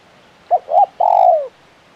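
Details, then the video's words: One full phrase from a spotted dove (tekukur) of the KUK 1 calling style: a clipped first coo, a swelling middle note, then a sustained, slightly throbbing coo that falls away at the end. "Suara Burung Tekukur Gacor KUK 1 Mersik"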